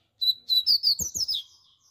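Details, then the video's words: A rusty-collared seedeater sings loudly in a warm-up, a quick phrase of sharp, high chirps and slurred whistles, about six notes run together in just over a second. "coleiro pardo Cantando forte"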